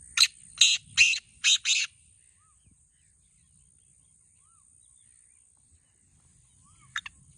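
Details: Kept black francolin (kala teetar), Pakistan: a quick burst of five harsh, rasping, broadband notes within two seconds, then silence, ending with a brief double note.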